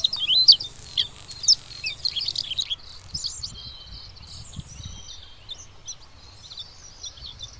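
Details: Bluethroat singing a jumbled series of high, squeaky chirps and rattles, louder at first then softer, with low rumbling background noise throughout.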